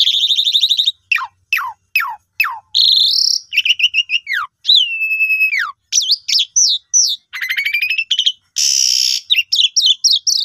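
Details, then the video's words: Asian pied starling song played to stimulate non-singing birds. Sharp descending whistles, buzzy rattles and long wavering slurred notes follow one another in a fast, varied medley. "Pancingan Jalak Suren Jitu Cocok Buat Burung Macet Pasti Gacor"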